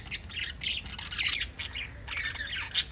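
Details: Budgerigars kept as pets, five together, give a busy stream of raspy, warbling chirps and short squawks, ending in a sharp, louder squeak.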